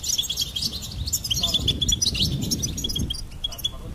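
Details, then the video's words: Goldfinch song: a quick, tinkling string of bright chirps and short trills with a muffled low rumble underneath. "Goldfinch Singing and Song Compilation"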